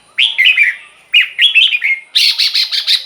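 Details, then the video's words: Caged red-whiskered bulbul singing, used as a lure or to excite other birds: two short bursts of rich, warbling, slurred whistles, then a quicker run of five higher, clipped notes at the end. "เสียงนกกรงหัวจุก สำหรับต่อ หรือ เปิดให้นกคึก เสียงเพราะๆ"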